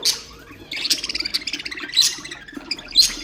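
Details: Budgerigars chattering to encourage other birds: quick buzzy chirps, then a run of rapid clicking notes and two sharp high squeaks about a second apart.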